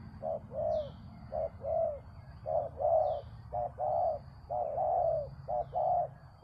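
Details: Spotted dove used to lure another dove down, cooing in low, mellow paired phrases: a short note then a longer rolling coo, repeated about once a second against a faint low rumble.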